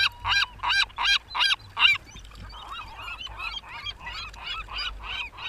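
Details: Gulls at Rio del Mar giving a series of harsh, nasal repeated calls, about three per second, loud at first then quieter and more distant.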